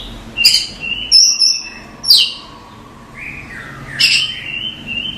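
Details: Oriental magpie-robin masteran used for cage-bird training: scattered sharp, harsh notes and a long thin whistle, ending in a drawn-out rising and falling whistled phrase over faint background hiss.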